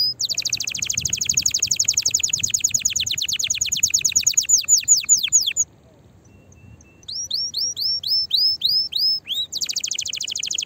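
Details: Excited canary song meant to spur other canaries into singing and mating readiness: fast high trill of repeated sweeping notes, a brief pause, then upswept whistles and a renewed dense buzzy trill.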